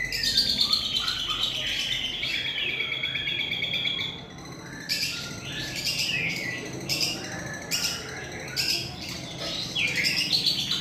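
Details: Long-tailed shrike, a songbird, in an energetic song imitating a lovebird: a long, high chattering trill in the opening seconds, then bursts of sharp, clipped, high notes separated by short pauses.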